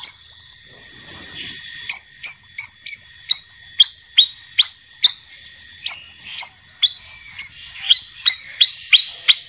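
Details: White-rumped shama in a training recording featuring a champion and a young spotted-plumage bird: a warbled high phrase, then a long series of short sharp upslurred notes, about two per second, over faint background hiss.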